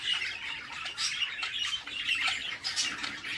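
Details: Budgie mother feeding her babies inside a nest box; constant harsh, squeaky chatter from the chicks with brief shrill peaks, no pauses between the raspy calls.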